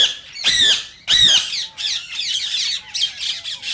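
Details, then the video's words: Green rose-ringed parakeet giving two loud, harsh squawks, then a rapid run of softer shrill chattering notes; the call is said to encourage singing and mating in other parakeets. "صوت ببغاء الدرة الخضراء"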